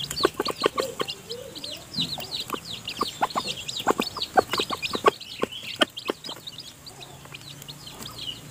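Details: Hen feeding freshly hatched chicks that have not yet left the nest. Steady high chick cheeping over many rapid, sharp pecking clicks, which thin out toward the end.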